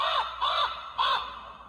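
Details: Common raven calling: three hoarse, arched croaks in under two seconds, each rising then falling, with a brief pause between them.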